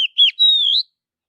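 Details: Sweet whistled phrase from an Oriental magpie-robin in a forest: a short note, a dipping slur, then a long steady whistle that climbs at its end; clean and without background.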